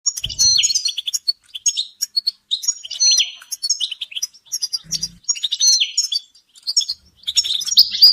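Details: Group of European goldfinches in a chorus of mating and readiness calls, used to stir silent caged males into song; dense high twittering with buzzy rising slurs and clipped tweets in bursts, brief low thumps at start and near five seconds.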